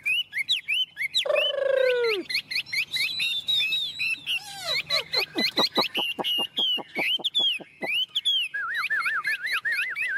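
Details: Caged, tame Chinese hwamei singing loudly: rich whistled phrases with downward slurs, a fast rattling run of sharp repeated notes, then looping wavering whistles; music plays faintly behind.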